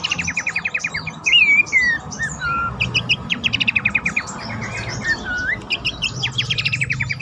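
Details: Bush warbler lure call for reluctant caged birds. Rapid rattled chip series and a looping whistled phrase repeat over continuous background hiss and low noise, with bright, dense chatter throughout.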